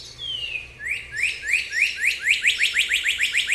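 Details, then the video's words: Cardinal singing: a long clear whistle sliding downward, then a series of rising slurred notes that speed up and repeat steadily, growing louder toward the end. "cardinal bird call"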